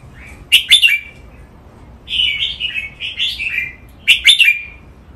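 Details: Caged red-whiskered bulbul in playful counted-phrase training song: sharp, stuttering chirp bursts frame a longer flowing warble of descending whistled notes, with a brief pause between phrases.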